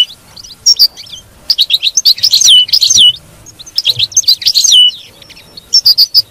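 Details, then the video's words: European goldfinch twittering in batbata style, played to keep a captive goldfinch singing: nearly continuous high, tinkling chirps and quick slurred whistles, delivered in bubbling runs with brief breaks. "تغريد الحسون، بتبته الحسون"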